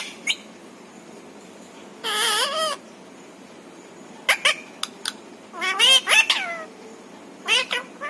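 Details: Talking pet parrot that says words like mummy and papa. It gives a wavering half-second phrase, then after a pause a rapid cluster of clicks and rising-falling nasal syllables.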